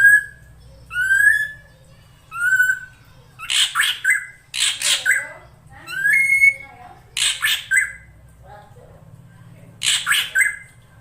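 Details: A female drongo calls to entice the male to sing: three ringing whistles open, then harsh, grating squawk bursts alternate with short whistled notes at irregular intervals over a soft background hum.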